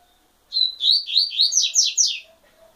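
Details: A short burst of double-collared seedeater song, roughly seven quick, clear downward-sweeping notes delivered without a break. The middle notes rise higher, and the phrase ends abruptly into near silence.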